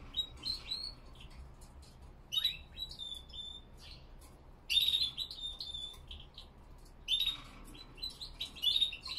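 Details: Spanish Timbrado canaries, classic type, on a cold 5°C early morning at 07:46 am with 87% humidity; short bright bursts of whistled and trilled phrases separated by pauses, with several birds chirping around.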